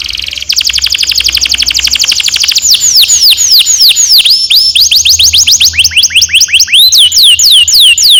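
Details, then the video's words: Canary in full song, played as a training lure for young birds: a long rapid roll of repeated rising and falling whistled sweeps, very loud and continuous, changing speed midway. "Kenari gacor NGEROL PANJANG cocok untuk PANCINGAN KENARI PAUD"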